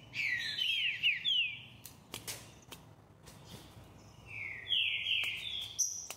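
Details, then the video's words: Rufous-bellied thrush song of loud whistled phrases, several swooping and falling notes in quick succession, then a pause broken by sharp clicks, then another rich whistled phrase and a high final note. "Trinca-Ferro cantador"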